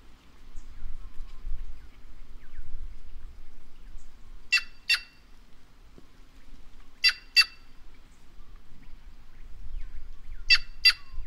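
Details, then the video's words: White-naped jay (Cyanocorax cyanopogon), a bird of the Brazilian caatinga, giving three pairs of loud, harsh, buzzy notes, each pair quickly doubled, spaced several seconds apart over low background rumble. "Canto da Gralha Cancã Cyanocorax Cyanopogon"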